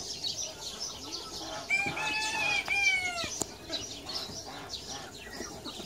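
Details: Small Japanese Bantam rooster crows once: a harmonic-rich call lasting about a second and a half, held level then cut off, while sparrow-like chirping continues before and after.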